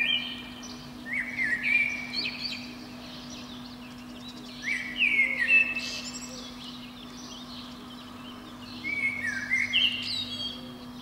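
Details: A Eurasian blackbird sings from a pine top below a window on a spring morning, delivering three separate phrases of rich, fluty whistles, each ending in a squeaky twitter, spaced by pauses of several seconds, over a faint steady hum.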